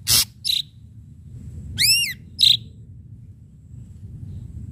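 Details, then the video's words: Ashy drongo singing energetically with sharp notes: two rasping high bursts, a pause, then a strong arched whistle with ringing overtones and a short upward-flicked note, with a faint low hum beneath. "srigunting abu abu gacor PANCINGAN PUKULAN TAJAM"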